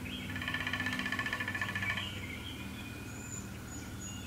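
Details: Male downy woodpecker drumming on a 150-year-old black walnut in Appalachia (Zone 7), near terraced farmland: a rapid, even roll of taps lasting about one and a half seconds, with thin whistled calls from other birds and a steady low hum.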